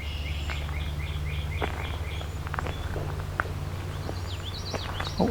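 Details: At midsummer solstice 2024 in the Beverly Swamp, Flamborough, Ontario, a Gray Catbird hidden in shrubs gives evenly repeated 'chup' chirps, then a varied squeaky, jumbled song, over a steady low musical hum.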